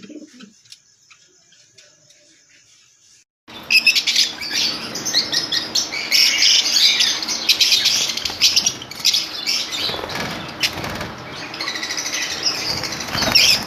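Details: Lovebirds in a colony: after about three seconds of near silence, a dense wash of shrill, high chirps and squeaks from many birds starts abruptly and continues overlapping to the end.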